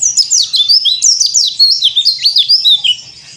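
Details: Bali yellow-breasted white-eye, known as pleci dakbal, pouring out cor dor song offered as therapy for young birds: very high, hurried twitters and squeaky down-swept whistles following one another without pause, fading slightly at the end.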